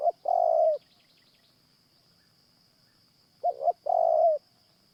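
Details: A caged decoy Spotted Dove, or a nearby wild one, coos during morning trapping. The end of one phrase is followed by a pause of about three seconds, then a complete phrase of two clipped notes and a long, steady, low coo, over a faint high whine.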